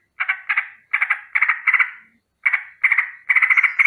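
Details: Sooty-headed bulbul alarm call in the morning, rolling and signalling danger: short clusters of two to four harsh chattering notes separated by brief gaps, ending in a faster run; quiet surroundings.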